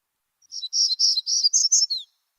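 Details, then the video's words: Hermit Warbler song, a species breeding on the high Cascade ridges of Washington: a rapid series of high, buzzy 'z z z' notes over about a second and a half, ending in a distinctive, clearer 'ctu' flourish. "let's listen to the sound of the hermit warbler"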